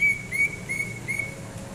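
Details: Greater green leafbird (cucak ijo) singing while relaxing, recorded January 2022: a run of short, clear whistled notes at a steady high pitch, repeated about three times a second over a soft low background hum.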